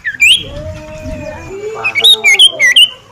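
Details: Cipoh (common iora) champion singing. A rising whistle leads into a quieter stretch with low humming tones, then a string of five crisp, upslurred whistled notes in quick succession.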